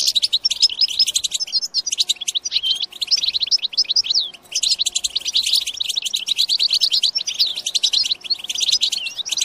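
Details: European goldfinch song played to stimulate goldfinches to sing and mate: dense, fast, liquid twittering of high chirps and trills, nearly continuous with brief pauses around two and four seconds.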